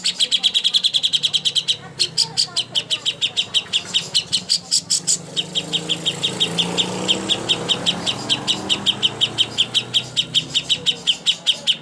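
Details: Greater green leafbird master song for contest birds: long run of fast, high, clipped notes, briefly broken, continuing over a low engine-like rumble in the middle, then resuming in a quick even series.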